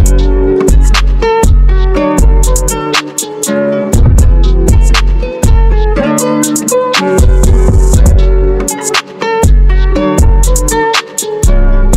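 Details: Guitar-led music with a deep, punchy bass line and drums plays throughout, with no animal sounds.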